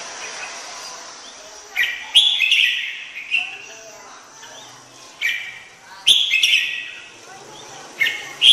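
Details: Red-whiskered bulbul song: bright warbled bursts at irregular intervals, about fifteen a minute, with quiet gaps between and a low murmur of background noise.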